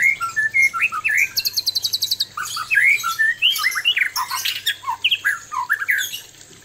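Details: Male white-rumped shama courting a fierce female with a loud, rapid medley of short whistles, slurred notes and a quick high rattling trill, packed tightly together.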